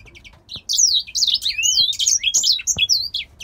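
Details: Captive male grey singer finch, originally from Poland, singing; a fast, continuous warble of high sweeping whistles, rising slurs and chattering notes without break for about three seconds.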